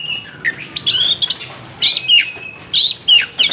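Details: Oriental magpie-robin (kacer) singing vigorously while spreading its tail: bursts of loud, varied whistled phrases, sliding and bending notes with brief pauses between, in a quiet setting.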